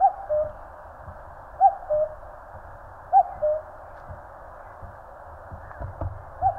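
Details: Common cuckoo in the mountains of Korea, three falling two-syllable cuck-oo calls in quick succession, with faint low rumbling and light knocks in the background.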